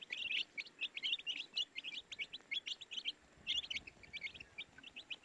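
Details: Baby chicks chirping: a busy run of short, high, sharp peeps, several overlapping, come in quick bursts with brief pauses. No other clear sounds.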